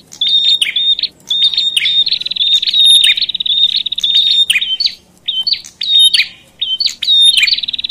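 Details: Noisy bar-winged prinia calls meant to agitate other prinias: short chirps leading into extended buzzy trills, broken by brief pauses, then further bursts of sharp chirping notes.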